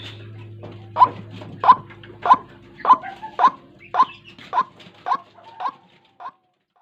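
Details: White-breasted waterhen lure call for trapping at dawn: a series of about ten clipped croaking notes, slowly fading toward the end, over a low hum.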